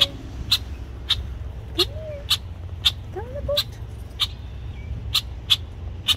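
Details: Protective male red-winged blackbird near its nest, approached by kayakers; crisp, short chack notes fire about every half second, a few faint low glides between them over a quiet, low rumbling background.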